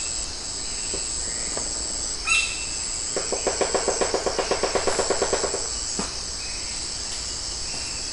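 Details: A White-bellied woodpecker punctures an arecanut tree at Magadha Vana near Karkala, a run of about fourteen hard, hollow taps at five or six per second, over a steady high insect hiss.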